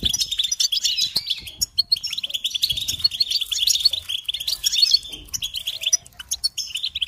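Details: ['A steady stream of rapid, tinkling twitters and buzzy chirps from a European goldfinch, sustained and busy with few pauses.']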